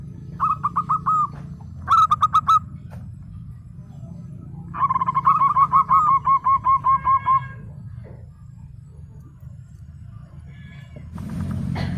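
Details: Local zebra dove in lively song: two short bursts of clipped coos, then a long, even train of repeated notes, followed by quiet and a low rumble.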